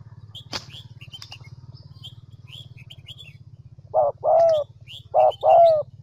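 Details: ['High chirps of small birds and a thump open the recording before a Central Highlands decoy spotted dove gives two mellow paired coos, short then drawn-out, near the end.']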